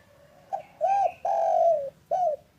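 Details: Afternoon call of a local spotted dove, meant to coax quiet doves into calling. A soft short note leads into rounded coos and one long, slightly falling coo, then a final short coo.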